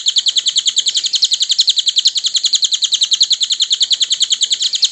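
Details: Cililin song used as a tutor recording for cage birds: a loud, high, rapid metallic trill of evenly spaced notes, about three per second, held unbroken throughout.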